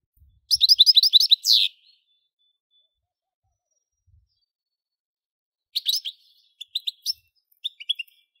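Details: The singing goldfinch gives a fast, rolling trill of bright repeated notes, then a pause, then scattered crisp chirps and twitters.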